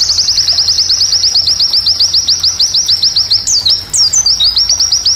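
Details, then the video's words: White-eye training song for classes G12 and G16. It opens with a quick, even stream of high, falling chirps, then breaks into a few looping, rising twitters before the downslurred notes return. "Recomendasi Masteran pleci Untuk Kls G12&G16"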